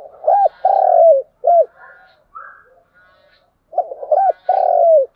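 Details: Spotted dove used as a lure, calling to stimulate other doves: a full phrase of quick coos into a long falling coo, then a short coo, a quiet gap with faint chatter, and the phrase repeated.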